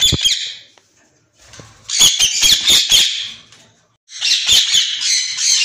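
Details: A pair of white ringneck (rose-ringed) parakeets gives harsh, raspy squawks in three bursts of rapid, overlapping screeches, each about a second long, with short quiet gaps between.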